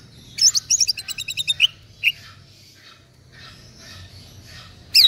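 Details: Green leafbird from East Java, kept caged, starts with a quick rattling series of bright chirps, then a lone whistle, a quiet gap with faint background, and a sharp closing burst.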